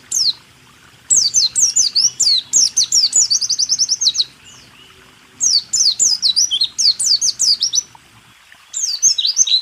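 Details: White-eye training song in rool tembak style for caged songbirds: three long bursts of fast, high, descending chirps and trills, roughly four notes a second, separated by quiet gaps.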